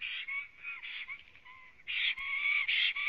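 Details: Black stork singing a long song at its nest in Latvia after arriving, recorded by a live nest camera on the evening of 9 May 2017. Harsh, wheezy notes run in a rapid, nearly continuous series, with lower whistled tones underneath.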